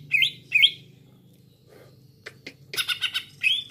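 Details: Green leafbird lure sound for trapping: two upward-swept whistles, a pause with soft rustle, then a burst of harsh chips and a rising whistle.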